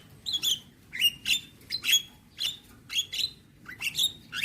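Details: Javan myna singing a lively, varied song: bright chirped notes that sweep upward into a ringing whistle, repeated about every half second in short bursts over a faint low background hum.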